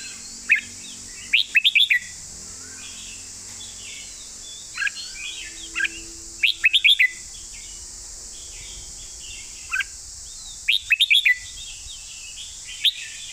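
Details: Red-whiskered bulbul singing a master training song in bursts of quick, bright, slurred whistled notes. Short phrases repeat about every few seconds with quiet gaps, and a constant high-pitched hiss runs behind them.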